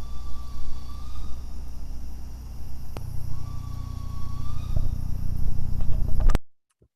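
A young barred owl gives two thin, drawn-out whistled shrieks, each over a second long and slightly rising, over a steady low rumble.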